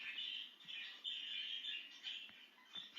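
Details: Free of its cage and excited, a budgie chatters in a fast buzzy warble with rising and falling notes, heard over a steady background hiss and faint taps.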